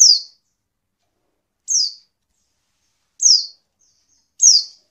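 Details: Oriental white-eye female giving her call, which keepers use to stir lazy males to sing; four sharp, high descending whistled notes at irregular intervals of about one and a half seconds, with no other sounds.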